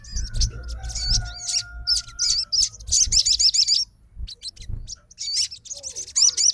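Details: Fighter-type sogon answering another sogon's song: high, wavering trilled phrases in quick succession, joined by a long faint level whistle early on and low rumbling background noise.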